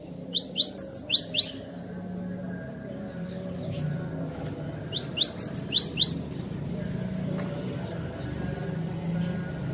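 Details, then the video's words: Cinereous tit (glatik batu) song used for luring birds; a loud phrase of about six clear, sharp whistled notes, then a pause, then the same phrase again, over a low background hum. "suara merdu burung Glatik Batu Pas banget buat pancingan"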